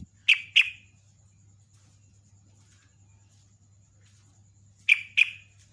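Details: Yellow-vented bulbul lure call for attracting other bulbuls: two pairs of short, sharp, bright chirps, each pair a quick double note, separated by about four seconds of near silence with a low steady hum.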